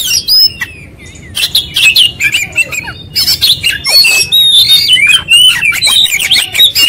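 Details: Oriental magpie-robin in vigorous konslet song displaying its full repertoire: a brief quieter start, then loud bursts of twisting whistled notes, high chips and scratchy squawks in quick succession.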